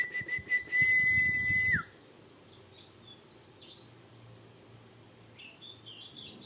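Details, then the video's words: White-eye singing rough "ngriwik" trills for training other birds: a long flat whistled tone with low thumps opens, then fast, high, scratchy chirps tumble on in uneven bursts. "Suara Pleci Bustomi Ngriwik Kasar"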